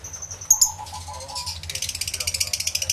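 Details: Aviary lovebirds, recorded on a camera with two external mics: thin high notes and a lower wavering whistle at first, followed by rapid, evenly pulsed high chattering.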